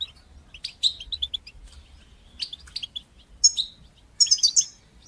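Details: European goldfinch performing bitbata and sitsata song for motivating and tutoring young goldfinches; scattered high chirps and slurred whistles build into a dense, ringing twittered phrase at the end.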